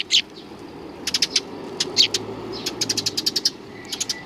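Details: Sparrows arriving for food at a Tenmangu shrine front path, 29 May 2020, give quick strings of bright, clipped chirps in small clusters, several per half second, against a quiet outdoor background.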